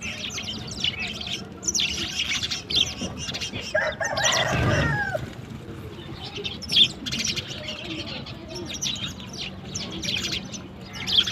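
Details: Sparrows in the morning, playing with water: dense high chirps and tweets from many birds throughout, with a loud broadband splash or wing flutter around the middle and a low steady hum underneath.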